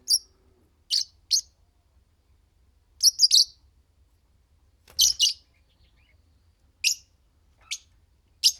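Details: A green pair of Fischer's lovebirds singing and chirping indoors: sharp, high, shrill chirps given singly or in quick pairs and triplets, spaced irregularly about one to two seconds apart.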